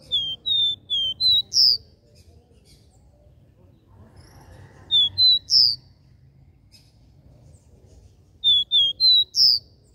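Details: Capped seedeater giving its regional three-note 'dó ré mi' song in three bursts, each a run of clean whistled notes climbing to a sharp, brighter final note; steady low background noise between phrases.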